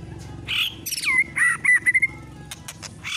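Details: White-rumped shama lure song meant to provoke other shamas into singing: a few loud whistled notes, then a quick run of short, evenly pitched whistled chips, with scattered sharp clicks and a faint low hum beneath.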